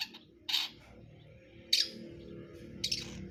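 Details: Cendet brundol long-tailed shrike uttering three separate grating, scratchy bursts roughly a second apart over a steady low humming background noise.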